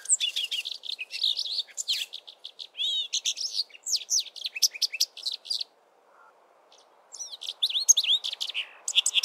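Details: A male brimstone canary sings from a treetop in early spring, a rich, rapid warble of bright twittering notes and slurred whistles, pausing briefly before resuming, over a faint background hiss.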